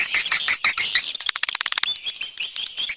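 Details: Swiftlet external sound recording: quick bright chirps with whistled accents for the first second, then sparser sharp clicks and faint thin notes.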